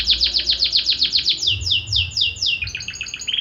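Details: Song of a Belgian canary, opening with quick repeated downward-sweeping notes, slowing to broader descending slurs, then switching to a higher, thinner fast trill at the end.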